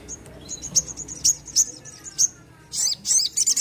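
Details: Thin, high-pitched chirps and short trills from a crimson sunbird singing vigorously, spaced unevenly, with faint lower whistled notes and a louder, scratchy chatter near the end.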